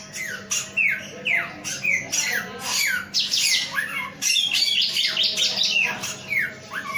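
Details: Male samyong singing energetically, strings of downward and upward slurred whistles mixed with raspy squawks, near-continuous for seven seconds, over a faint low hum.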